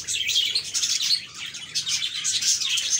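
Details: Budgerigars in a lively group, short bright chirps and squeaky twitters tumbling over one another in quick succession, steady and continuous.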